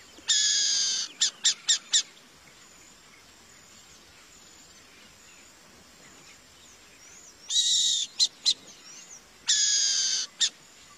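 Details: Burrowing owl (Athene cunicularia) giving harsh, hissing screeches, each under a second, then quick rasping chips, in three bursts over a quiet background.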